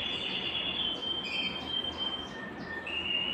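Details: Belgian canary singing to warm up other birds and bring females into breeding condition: a sustained high whistled trill, then short lower and higher tonal notes, over steady background hiss.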